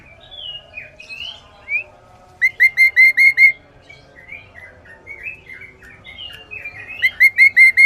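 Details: Sooty-headed bulbul singing loudly and clearly, a chatty bird. Quick runs of five to six rich, even notes come twice, set among shorter sliding whistled phrases and soft chirps in a quiet setting.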